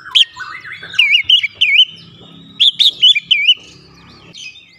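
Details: Kacer (Oriental magpie-robin) in singing-stimulation therapy with varied fill-in notes: two groups of sharp downslurred chirps and short looping whistles, with softer twittering and a low background rumble between them.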